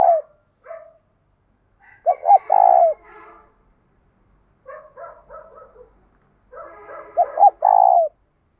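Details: Spotted dove with a 'giọng thổ' voice mixed with 'thúc gù', giving a morning call to lure wild doves. Two clear coo phrases are separated by soft, hoarse, stuttering murmurs.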